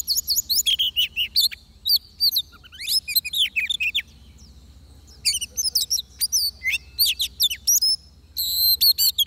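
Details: Oriental magpie-robin recorded at a trapping spot: rapid bursts of high chirps and whistled slurs, a quiet stretch around four to five seconds, then more sharp notes over a faint low hum.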